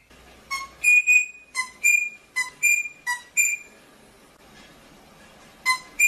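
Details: Rosella song: a series of clear, piping whistles, each a short low note followed by a higher sustained note, repeated about every half second, then a pause before the pattern starts again.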